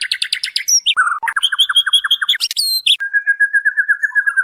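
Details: Lure recording of a female white-rumped shama calling the male: fast stacked chips open, followed by a rhythmic series of short mid-pitched notes, a bright high sweep, then an even, steady whistled tone.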